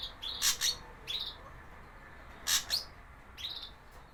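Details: Javan grey drongo song used as a lure for young birds: harsh, broadband chattering notes in pairs, with short upslurred whistled notes between them, over a faint steady hiss.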